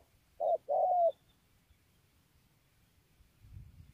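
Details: Single low two-note coo from a spotted dove, Kon Tum, Vietnam: a brief hoot, then a longer level one. Quiet follows, with a faint low rustle at the end.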